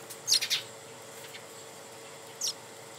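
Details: Japanese white-eye recorded at home, 10 January 2014: two quick, very high, thin chirps close together near the start, then one more short high note about two seconds later, against a faint steady hiss.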